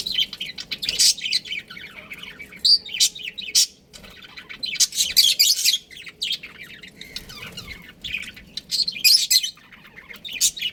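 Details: Pet budgies, a breeding pair, chattering in uneven clusters of rapid, high, scratchy chirps separated by short quiet gaps, with a soft hum in the background.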